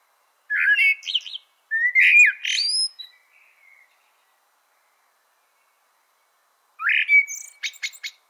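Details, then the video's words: A blackbird sings three short phrases of rising whistles that break into squeaky, twittering ends, a second or more apart, with a long pause before the last. "CANTO DO MELRO PRETO"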